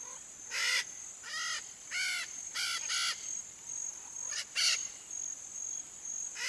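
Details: Red-shouldered macaw, Brazilian bird of the Pantanal fauna, free in nature: a series of harsh, raspy, arched squawks with rich harmonics, repeated about every half second, over a steady high insect whine.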